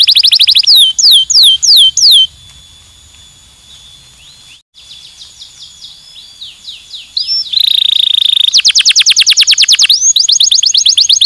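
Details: Canary stimulating song with descending whistled notes, a softer stretch of faint twittering, a buzzy tone, then a long rapid trill of rising chirps.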